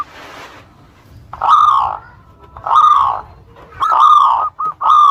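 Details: Zebra dove of local Indonesian stock, singing to lure rivals into answering: drawn-out, harsh-edged coo notes about a second long, repeated with short staccato notes between, after a brief noisy start.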